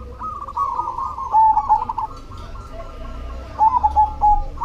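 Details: Black cemani zebra dove singing: two phrases of quick rolling coos, each ending in a few louder clipped notes, with a softer dove cooing in between and low hum beneath.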